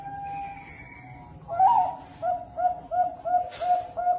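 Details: Zebra dove kept at a bird farm in Cirebon, Indonesia: after a quiet start with a steady faint tone, a loud opening phrase gives way to a run of short mellow cooing notes repeated about every third of a second.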